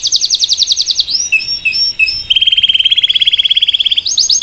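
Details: Salsa canary singing to train a chick, a rapid high trill, looping warbled notes, then a long even lower trill before the high trill returns.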